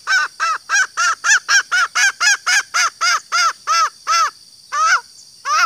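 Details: Hen green junglefowl call used to attract males: a rapid, regular train of about sixteen short, arched, nasal notes, slowing near the end with a gap before two final wavering notes.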